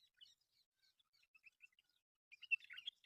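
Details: Myna birds in a local reserve give scattered soft, thin chirps that build into a brief, louder rasping chatter toward the close.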